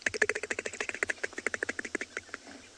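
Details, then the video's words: Crested barbet giving a rapid, dry, clicking trill of about a dozen pulses a second, even for over two seconds before slowing and fading, at a waterhole with hippo and grunting buffalo on an afternoon safari in South Africa, 29 June 2020. "if you listen carefully, there's a crested barbet going."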